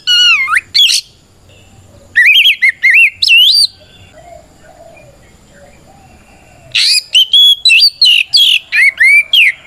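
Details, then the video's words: Challenging ngeplong fight song of an Oriental magpie-robin (kacer), meant to rile rival birds into answering: short runs of sharp whistles and downslurred notes separated by quiet gaps of a couple of seconds, ending in a long rapid volley. "Suara Burung kacer gacor NGEPLONG tarung"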